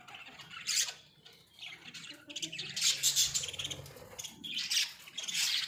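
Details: Several pet Australian budgerigars kept together in a small cage, giving scratchy, high chirps and squawks in three loose bursts with quieter pauses between them.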